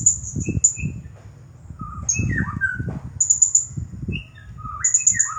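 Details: Champion blue-crowned hanging parrot singing 'nagih hutang' style: brief clusters of very high piercing chirps, mixed with lower looping whistles from another bird and background rumble.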